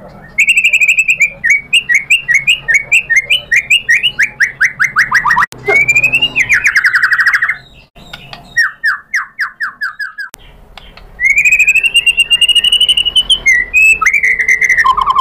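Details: Provoked white-rumped shama answering with its learned repertoire: rapid series of descending slurred whistles, then a loud rich warbled phrase, a gap, and further bright rising whistles and chattering trills.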